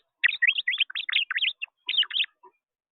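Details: A blue finch at a feeder, declining the seeds, gives a quick, jumbled run of high chirps and slurred twitters for about two seconds, then a brief final burst of notes.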